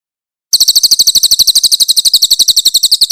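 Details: Grey-headed canary-flycatcher in a loud, clear master recording for songbird training launches a rough rapid burst of shrill notes, repeated about eight per second without pause for over two and a half seconds.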